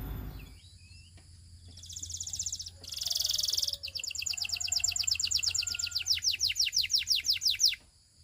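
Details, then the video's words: Russian canary song: after a quiet start and two bursts of hissing noise, a long rapid trill of falling chirps runs for about four seconds and stops abruptly. "The Russian Canary Invites All Canaries to Sing"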